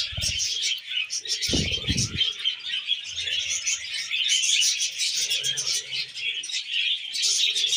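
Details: Several tame pet budgerigars chatter while eating wheat germ: dense, continuous high twittering and warbling, with soft low thumps of handling near the start and around one and a half seconds.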